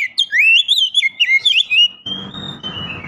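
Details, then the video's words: Female Oriental magpie-robin calling to provoke males into singing; a rapid run of clear, warbling whistled notes sliding up and down for two seconds, then one steady, drawn-out whistle over a rougher, noisy background. "kicau burung kacer memanggil - pancingan kacer agar bunyi"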